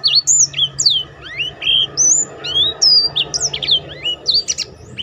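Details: Black-throated canary in strong form, used to train other birds and provoke them to sing. It gives a continuous, varied stream of high whistled slurs, upsweeps and downsweeps, closely spaced over a soft background hiss.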